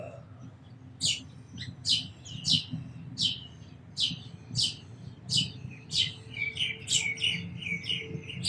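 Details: Sparrow calls in a lively run of sharp, high tweets, about a dozen in eight seconds, with a few softer chirps at the end and a faint background hum.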